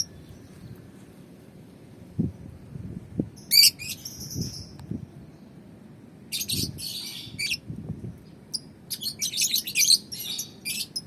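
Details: Young balibu lovebird sunned outdoors, uttering clusters of harsh, buzzy high-pitched chatter separated by pauses, the bursts growing busier toward the end, with soft low thumps in the background.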